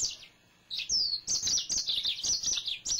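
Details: Male yellow-fronted canary, kept at home, delivers a bright, high, nonstop twittering song of downward-slurred whistles and quick chips after a short pause at the start.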